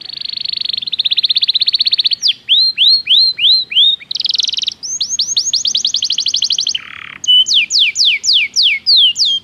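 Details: Belgian canary singing a training song: loud, fast trilled phrases of repeated high notes, switching between steady buzzy trills and rows of downslurred whistles, with a brief lower rasping note near the end.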